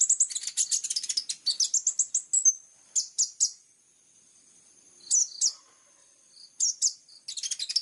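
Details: Kolibri ninja, or plain-throated sunbird, in clear-voiced 'full tembakan' song: rapid high twittering, then spaced pairs of sharp notes separated by quiet gaps, ending in renewed fast chatter.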